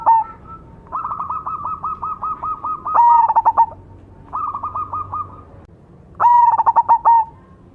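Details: Cemani zebra doves singing together: long runs of fast, even, higher notes alternate with loud stuttering coo phrases that break into quick pulses, repeated three times.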